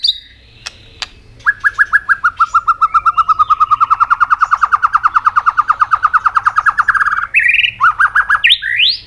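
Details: White-rumped shama in full song, played to rouse other birds into singing: after two sharp clicks comes a long, fast, even trill of about forty notes, then sudden rising whistled flourishes.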